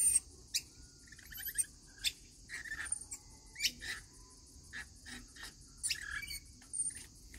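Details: Several rainbow lorikeets call during their daily feeding. Harsh, scratchy chirps burst out roughly every second or two, mixed with a few thin whistled notes, over a constant high hiss.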